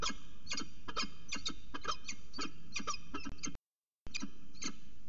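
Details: Peregrine falcon at CSU Orange, recorded on 25 December 2019 at 05:29 in the early morning. Short, sharp calls repeat rapidly in uneven bursts over steady low background rumble, with a brief gap of silence.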